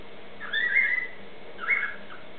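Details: A pet cockatiel mimicking other birds (a noisy miner, a currawong and a noisy parrot) gives two whistled phrases about a second apart, the first longer and wavering, the second short and bright, over a faint steady hiss.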